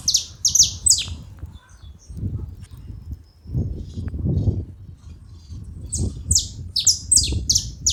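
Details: Saffron finches, several together, burst into quick high falling chirps at the start and again near the end, with a quieter stretch of low background rumble between.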